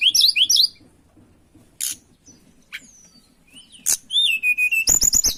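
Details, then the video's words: Tledekan in breeding condition, seeking a rival: a rapid high twitter opens, followed by scattered single notes and clicks, then a loud sliding whistle and a fast series of sharp repeated chips. "Pancingan Burung Tledekan Gacor Birahi Cari Lawan"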